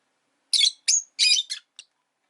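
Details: Pet rosy-faced lovebird giving five harsh, shrill chirps in quick succession, the first four loud and buzzy, the last a brief faint squeak, with quiet surroundings between calls.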